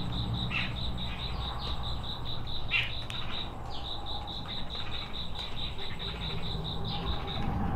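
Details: Forest Wagtail in Kolkata, 30 September 2020, giving a steady run of sharp, high metallic notes, about four each second, over a constant low background rumble.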